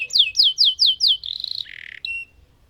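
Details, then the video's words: Lemon canary singing: five strong descending whistled swoops, then a quick buzzy trill, a harsh lower rasping burst, and a short closing whistle. "Burung Kenari Lemon Gacor Ngerol Panjang"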